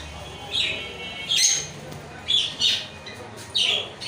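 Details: Lovebird uttering short, piercing squeaks in small bunches, roughly one cluster every second, each note shrill and slightly harsh, with low background hum between calls.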